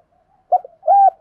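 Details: Male and female spotted doves calling to prompt caged birds to coo: a short low note, a quick softer note, then one drawn-out mellow coo ending in a slight downward bend.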